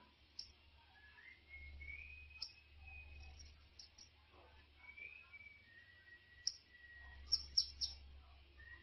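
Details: A captive colour-mutation bananaquit gives thin, high, drawn-out whistles broken by sharp ticking notes, with a low hum underneath.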